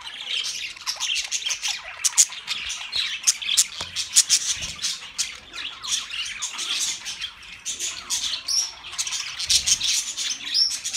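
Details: Several budgerigars chattering, for lonely birds: a continuous high, buzzy warble packed with sharp clicks and tweets, steady throughout with no pauses.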